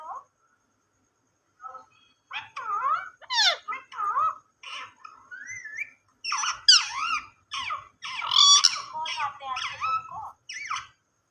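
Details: Ringneck parrot talking indoors, mixing sliding whistles with raspy mimicked word-like syllables, starting sparse and building into a denser, louder stream of chatter toward the end.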